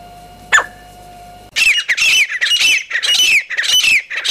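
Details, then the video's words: Grey francolin, Pakistan: after a brief click and a steady tonal hum, loud, harsh, shrill squawking notes erupt. They come in rough, overlapping bursts at a high pitch. "Grey Partridge | سنگلی آواز | Grey Francolin | Voice | High Pitch"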